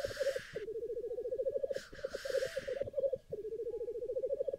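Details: Lekking black grouse in Sweden on a chilly morning with frost, recorded with a Nikon Z6 II camera: a harsh hissing rush opens, then low bubbling rookoo runs continue, with a second loud hiss in the middle.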